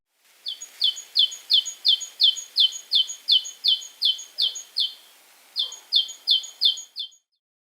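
A great tit sings a bright, ringing two-note phrase, high then slightly lower, repeated about three times a second, with a brief pause before it resumes.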